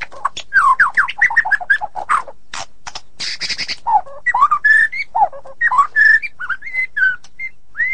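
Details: White-rumped shama singing in the super-tight ngeplong and ngeroll style: quick chattering notes and a brief raspy burst, then clear, slurred whistles rising and falling in short, spaced phrases.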